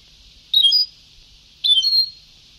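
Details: Two quick, liquid twittering phrases from a European goldfinch on an old Sebtaoui singing tape, the second slightly longer and ending in a drawn whistle, over faint hiss.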